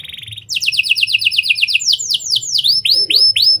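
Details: Singing canary imitating lovebird and prenjak phrasing, meant as a lure for other canaries: a quick run of high down-slurred notes, then bold rising whistled sweeps repeated quickly, with faint low hum behind.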